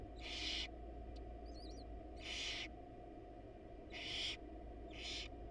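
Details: At a wild barn owl nest box, a male delivers a rat while the mother is absent; four rough, drawn-out hissing screeches roughly every second and a half, with a faint thin chirp between them and a constant low hum.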